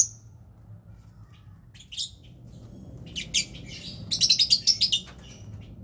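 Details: Lovebird calling during mating: scattered sharp high chirps, building to a fast series of squeaky twittering notes around the four-second mark, over a low rumbling background.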